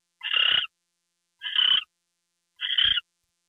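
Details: Three drawn, hoarse screeches from an owl at a gopher delivery, 10:43 PM on February 2, 2013, spaced over a second apart in otherwise quiet night.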